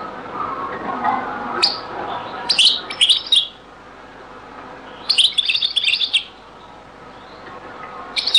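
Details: European goldfinch in a very old recording of the Beni Messous 'les avocats' (zaboka) song style; short bright twittering bursts near 1.6, 2.5–3.5 and 5–6 seconds, separated by quiet pauses, with faint low background murmur early on.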